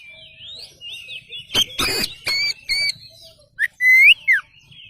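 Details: Oriental magpie-robin singing as a lure to provoke answers: clear, sweet whistles rising and falling, some paired tones, interrupted by harsh broadband crackles, then a strong upward-swept whistle near the end.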